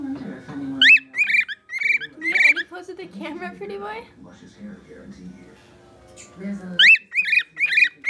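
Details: Pet bird whistling for attention indoors: bursts of sharp, harmonic-rich chirped whistles at the start and end, with a stretch of low murmuring voices and background sound between them.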